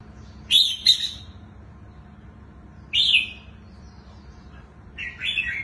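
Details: Wild-caught adult red-whiskered bulbul with a large, long body and a good twisting song style. Three short, bright, slurred whistled phrases come about two seconds apart, with quiet pauses and low background hum.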